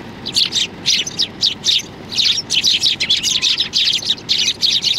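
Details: Sparrows coming for food at a Tenmangu shrine, 16 January 2020, chatter in quick overlapping high chirps that run almost continuously, with only brief gaps.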